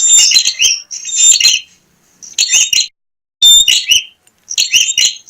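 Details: Loud bar-winged prinia song played as a lure for other prinias: clusters of sharp, high, rapid chips separated by short silent gaps, roughly one burst each second.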